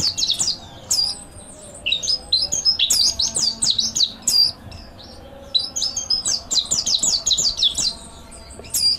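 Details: Mountain white-eye training master song, delivered as fast, shrill, tumbling chirps in several separate bursts with brief quiet gaps between phrases.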